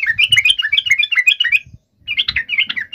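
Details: Lure song of a yellow-vented bulbul meant to draw a rival: a lively, bubbly run of warbled rising and falling notes for about a second and a half, a brief pause, then a shorter bubbling phrase, with faint low thumps beneath.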